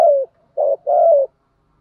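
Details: Decoy spotted dove cooing in the thổ voice style, used to lure and excite wild males: three low hollow coo notes, a short one, a brief gap, then a long falling note, on a silent background.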